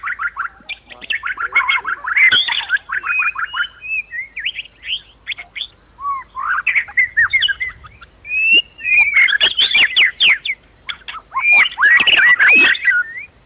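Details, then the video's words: Agitated white-rumped shama song used as provocation to make other shamas fight and sing; varied phrases of chattering notes, sweet whistles and sharp clicks in separate bursts, a constant high drone in the background. "PANCINGAN MURAI BONGKAR ISIAN BIKIN KONSLET"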